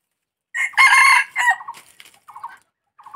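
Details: Junglefowl giving a single loud, rasping crow of under a second, dropping into a short tail, then trailed by several soft low pulsed clucks.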